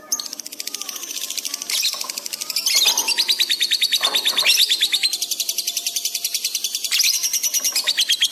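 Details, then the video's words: Lovebird in fast, emotionally heightened song used as masteran for pet birds: a long, rapid, buzzy pulsed trill held for several seconds at very high pitch, with a few low faint whistles underneath. "masteran love bird gacor cepat respon emosi memuncak"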